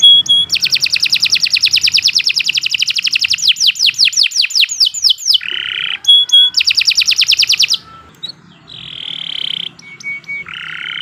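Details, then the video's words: Canary long song used for tutoring: extended fast rolling trills shifting to sweeping downslurs, then nasal buzzy notes and a steady whistled tone, with faint background murmur. "Kicau Burung Kenari II GACOR PANJANG Cocok untuk Masteran"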